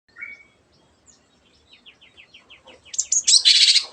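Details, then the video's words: Long-tailed Shrike (cendet) singing in a lively way that is said to get silent birds singing too: a short whistled note, then a quickening run of about ten buzzy chips, ending in loud harsh scratchy bursts. "CENDET GACOR MENJADIKAN YANG DIAM IKUT GACOR the sound of shrike birds"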